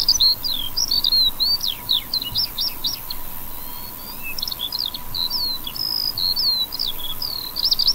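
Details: Skylark song over a wheat field, an unbroken run of bright, twittering, high-pitched notes mixing short chirps, slurred whistles and brief trills, briefly softer midway before resuming strongly; recorded on a Fuji X-S10 with a Sennheiser MKE200 mic.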